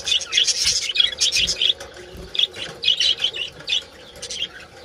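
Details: Budgerigars calling in a colony, given as mating calls: dense overlapping chirps, warbles and squeaky notes from many birds, pouring out continuously in bursts with brief gaps.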